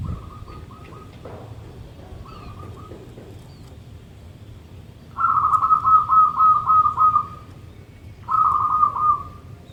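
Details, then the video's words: Morning song from a local zebra dove, keen enough to set other birds singing: soft distant coo phrases at first, then two loud, long rolling runs of rapid, pulsing cooing notes over low background noise. "Perkutut Lokal Gacor Manggung dipagi Hari bikin yang lain ikutan BUNYI."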